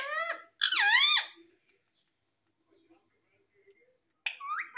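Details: A pet parrot speaking. Loud, rich, nasal syllables open the recording, the second one rising and falling. After about three seconds of near silence, another harsh utterance follows at the end.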